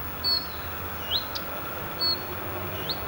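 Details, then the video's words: Common redstart giving thin, high whistled notes, each followed by a quick upslurred note, repeated about every two seconds over a low background rumble. "Обыкновенная горихвостка"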